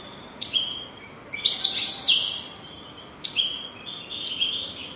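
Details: European goldfinch singing, intended as a lesson for young goldfinches: clusters of high twittering notes and a dense buzzy trill, broken by short pauses.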